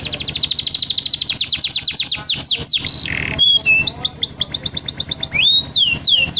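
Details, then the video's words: Panda canary in vigorous song, a fast series of high descending whistled sweeps that slow and deepen, a brief buzzy note, then more quick falling and rising whistles, over a low steady hum. "kenari gacor panda"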